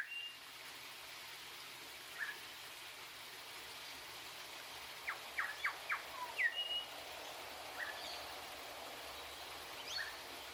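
Grey shrike-thrush giving a quick burst of sharp, high chirps and a short clear whistle, with a few scattered single notes, over a steady hiss.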